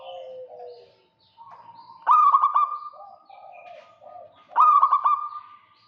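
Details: Local zebra dove in full song, calling to lure a rival: two bright stuttering coo phrases about two and a half seconds apart, with quieter, lower coos running before and between them.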